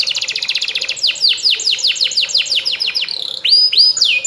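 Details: Canary singing in a bright, high trill of fast repeated notes, then a run of downward-sweeping whistled slurs and a few longer clear falling whistles at the end.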